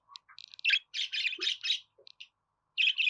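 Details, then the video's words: Budgerigar song in short, loud bursts of harsh, buzzy chirps and squeaky twitters, broken by brief silences, with the last pair of scratchy notes coming after a gap. "Muhabbet Kuşu Sesi"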